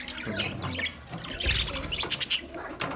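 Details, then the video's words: Colony of budgerigars chirping: busy mixed twittering with short bright notes, a louder cluster around the middle and sharp chirps near the close. "Budgies chirping sounds"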